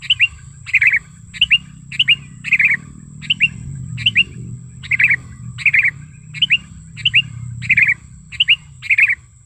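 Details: Lure call of a vocal sooty-headed bulbul recorded in nature, used for luring and tutoring bulbuls: quick bright chirped notes repeated rapidly, about one and a half per second, over a steady low rumble and a thin high tone.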